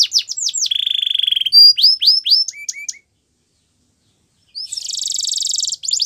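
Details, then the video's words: Belgian canary song for training canaries to sing: fast, high, varied phrases of sweeping whistles, a steady rolling trill, rapid chip series and a buzzy rattling tour after a pause of about one and a half seconds. "Canary Singing Training | Belgian Canary Song"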